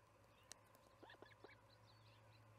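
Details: Osprey at the Charlo nest, evening feeding on July 9, 2019, 6pm MDT. A brief handful of short, rising chirps and one sharp click, set against a continuous low hum.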